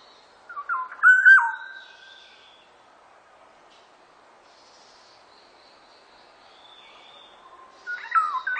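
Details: Black-naped oriole song: a loud, fluty whistled phrase of slurred notes that rise and fall, then faint thin high notes during a quiet gap, and a new whistled phrase starting near the end.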